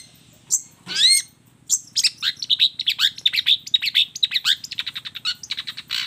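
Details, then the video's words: Long-tailed shrike sings an energetic mimicry medley: a few sharp upward-sweeping whistles, then a rapid, dense chattering run of high twittering notes that speeds up toward the end. "suara kicau cendet gacor FULL KOMBINASI ISIAN AMPUH"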